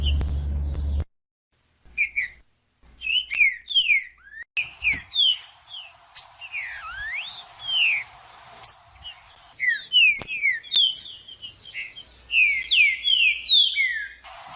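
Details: Song of a green-winged saltator (trinca-ferro) for warming up a cold bird: after a brief silent gap, many rapid slurred whistles rise and fall in long phrases, including one lower looping note midway.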